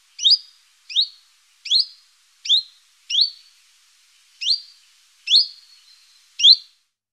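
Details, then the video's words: Common chiffchaff singing eight sharp, high notes that each drop steeply. They come evenly about once per second with a brief gap midway, in quiet surroundings. "chant du Pouillot véloce"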